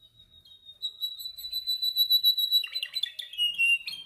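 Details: Male canary singing during song training: a long steady high whistle rising into rapid trilled rolls, then a dense burst of mixed chirps and lower warbled notes.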